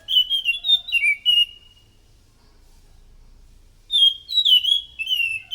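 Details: Orange-headed thrush singing, a lure recording meant to attract other thrushes: a bright tumble of whistled, warbling notes, a two-second pause, then another rich phrase of slurred whistles.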